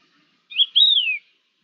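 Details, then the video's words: Wild Thekla's lark giving a short whistled phrase: a brief note, then a long sliding whistle that rises and slowly falls, clean and mellow, with no other sounds. "La Diva, cogujada montesina"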